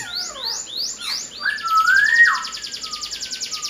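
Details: Chinese hwamei singing energetically: repeated high upslurred whistles, a long smooth wavering whistle in the middle, then a fast even train of short sharp notes.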